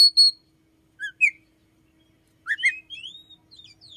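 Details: Sparse morning phrases from an Oriental magpie-robin, whose song is said to include red-headed flowerpecker notes and to begin at five in the morning: separated chirps and whistles, then a soft warbled rising run.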